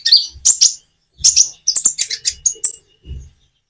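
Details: Common iora singing with natural pauses to coax quiet birds into responding; short bursts of high, scratchy chirps separated by gaps, with soft low thumps beneath.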